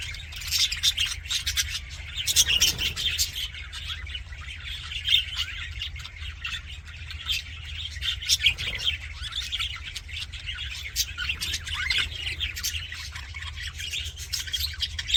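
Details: Budgerigars in an aviary chirping happily: a dense, continuous chatter of rapid high twittering notes and short squawks, with louder bursts near three and nine seconds over a steady low hum.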